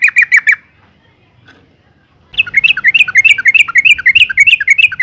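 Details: Calling female yellow-vented bulbul, used to provoke males to sing: a brief burst of rapid chirps, a silent gap, then a long, even series of bright, bubbly chattering notes at a fast steady pace.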